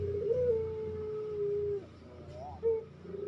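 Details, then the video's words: Fast pelung-style cooing of a captive Barbary dove used as training material: one long level coo drawn out for nearly two seconds, then a short rising note and a louder brief coo over a low purring hum. "Masteran Burung Puter Cepat Bunyi"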